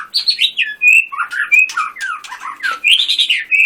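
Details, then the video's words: White-rumped shama in lively song: a quick succession of bright whistled notes, slurs and buzzy bursts, phrases about a quarter second apart. "Murai batu gacor full tembakan"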